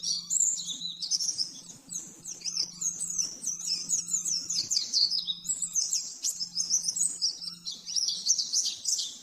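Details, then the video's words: Fast 'nembak-nembak' song of an oriental white-eye, recorded as a master for training caged birds: bright, high trills and chirps tumble in quick succession, phrase after phrase, above a steady low hum. "Masteran burung pleci nembak-nembak 100% jernih"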